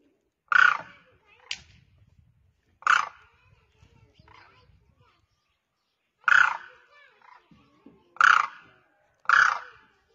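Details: One demoiselle crane (koonj, karkara) calling from the ground to others in the air; five loud, grating, trumpeting calls at irregular intervals with faint murmuring between them.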